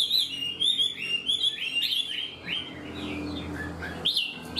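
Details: Caged, unrefined Chinese hwamei, quick to sing, delivering a structured song like a tame bird: loud clear whistled phrases that rise and fall, with slurred upswept notes repeated in quick series and short pauses between.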